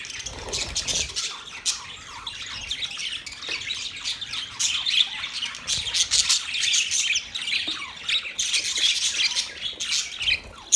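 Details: Parrot chirping as an unbroken wash of shrill twitters and harsh squawks, many calls overlapping, with louder peaks scattered through the passage and busiest near five and nine seconds.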